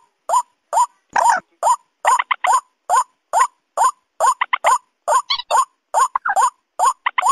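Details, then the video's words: Mixed lure track of white-breasted waterhen and rail, for paddy fields by day or night: evenly spaced, short, rising croaks repeating steadily, with one harsh, broad burst early on and a few higher nasal notes later. "suara pikat kombinasi ruak-ruak & mandar cocok siang atau malam hari"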